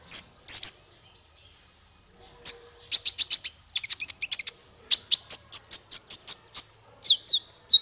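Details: Male kolibri ninja, recorded as a training song for songbirds: high chips, then quick stuttering trills and a steady series of piercing ticks, ending in sharp downslurred whistles.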